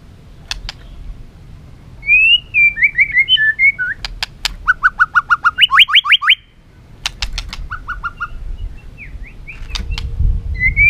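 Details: White-rumped shama in fiery competitive song: whistled warbling phrases, a run of rapid repeated rising notes, scattered sharp clicks, and low rumbling background noise.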